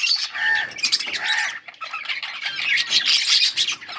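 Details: A group of yellow budgerigars on August 20, 2024: squawky warbled chatter, with two lower arched notes early on, then bright, busy twittering after a short dip.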